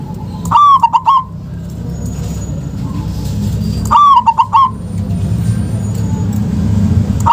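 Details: Local zebra dove, recorded to prompt lazy doves into calling, delivers two bursts of quick stuttering coos about three seconds apart amid steady low rumble and a faint thin high whine.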